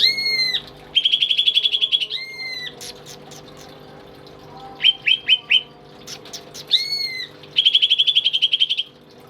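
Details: Greater green leafbird, a tame pet in full song and used as a master for training other birds, alternates clear sustained whistles that dip at the end with bursts of quick buzzy chatter and a few short separate chips.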